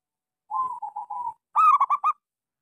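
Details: Small-voiced local zebra dove, a lure to get silent doves singing: a gentle string of level coos followed closely by a louder, choppy burst of rolling notes.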